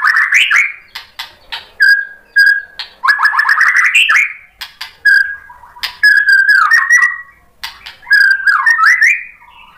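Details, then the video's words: White-rumped shama song used to trigger another bird's reply: rich mellow whistles and warbled phrases interspersed with sharp clicks, delivered in bursts separated by short silences. "SUARA MURAI BATU biar EMOSI NYAUT jadi GACOR BONGKAR MATERI ISIAN | PANCINGAN MURAI"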